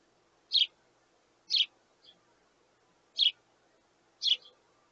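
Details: Begging sparrow chicks asking parents for food: four sharp, scratchy chirps at about one per second, a quiet extra note trailing the second and fourth.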